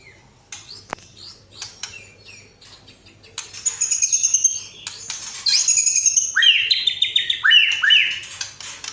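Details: Vigorous song of a caged white-rumped shama: scattered dry clicks, then bright high whistles and a run of rich descending whistled notes repeated several times.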